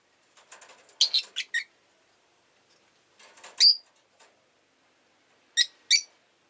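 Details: Pet rosy-faced lovebird with bursts of scratchy chatter leading into sharp, high chirps, three groups spread over several seconds, quiet between.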